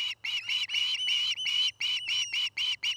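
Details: Osprey calling at a Montana nest in Charlo, one of a nesting pair, afternoon nest-camera recording: loud, slightly drawn-out whistled notes in quick succession, some running together, each bright and piercing.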